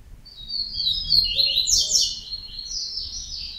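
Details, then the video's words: Yellow-bellied Seedeater song: a rapid, twittering run of high warbled and trilled notes sliding up and down, dense and continuous for about three seconds, with faint low background hum. "COLEIRO BAIANO"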